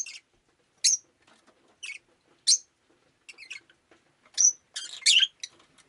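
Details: Pet rosy-faced lovebird on a rainy day chattering in a lively run of shrill, scratchy chirps, some ending in a clear whistled note, roughly one or two every second.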